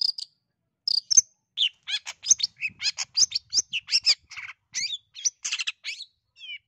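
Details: Singing long-tailed shrike from East Java, a bird in full voice meant to spur other birds to sing: rapid, varied notes mixing sharp whistles, rasps and quick down-slurred chips, in a lively stream with brief gaps.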